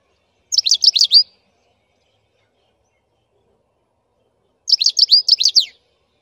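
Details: Black-headed goldfinch singing: two short bursts of bright, high twittering about four seconds apart, each under a second long and made of rapid, tinkling notes. The pauses between the bursts are silent.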